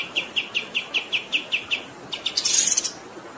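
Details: Pied triller song recorded as a training track for songbirds, set over flowing water: a steady series of short chirped notes about five per second, ending in a harsh rasping burst, with a constant soft hiss underneath.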